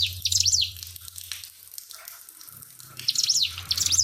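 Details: Pied fantail song over trickling water: a bright, high, sharply rising and falling chirp phrase, a quiet pause, then two more quick zigzag phrases near the end, with a faint low hum.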